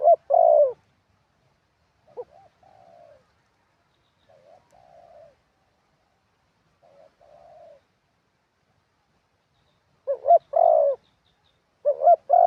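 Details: Decoy spotted dove on the ground: a loud mellow coo phrase, then several quiet, soft murmured coos spread apart, and finally two more full phrases, each a quick double note and a sustained coo.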